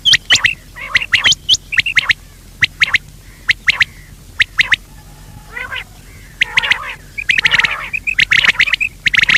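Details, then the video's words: Quails, both sexes, with repeated harsh bursts and short clear pips, a softer rattling phrase midway, then denser calling toward the end. "Batair ki awaz , Male quail call , Bater ki awaaz,Female quail sound,بٹيرکی آواز"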